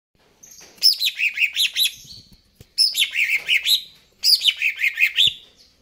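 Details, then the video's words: Greater green leafbird singing vigorously: three rich phrases, each a run of rapid chattering notes dropping from a high start into a lower warbling series, about a second long and closely repeated. "cucak ijo"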